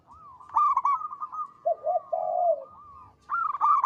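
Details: Zebra dove, local strain, with a big, long, melodious voice: a run of quick clipped notes, then a pair of lower rolling coos, and a fresh burst of notes to close.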